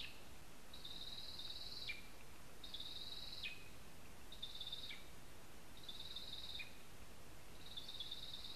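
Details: A lesser spotted eagle at its nest in a spruce in Zemgale, Latvia, gives a series of five high, sustained whines, each dropping abruptly at its close, about every one and a half seconds against steady quiet hiss.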